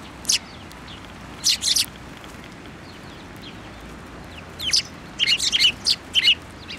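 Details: Sparrows collecting on a plum tree at a Tenmangu shrine in winter 2024: scattered single chirps early, then a denser chattering cluster of high tweets toward the end.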